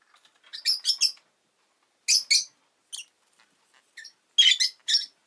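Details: Rosy-faced lovebird in captivity giving clusters of harsh, screechy chirps, in threes, pairs and singles, ending with a denser buzzy chatter, with faint soft ticks between.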